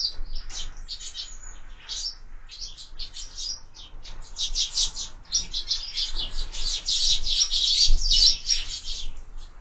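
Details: Sparrows at window feeders, busy chirping that builds from scattered tweets into a loud, crowded chorus of high notes toward the end.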